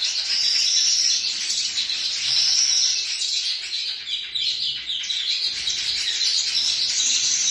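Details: Baya weaver (Bengali Babui) at its nest in a coconut tree: a steady mass of high, buzzy chatter with thin whistled strands and quick repeated chips layered over one another.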